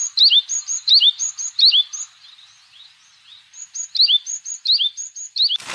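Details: Yellow-bellied tit calling: bright high notes in quick groups, short down-slurred whistles paired with thin high pips, repeated in bursts with a short pause mid-clip, ending in a loud noise burst.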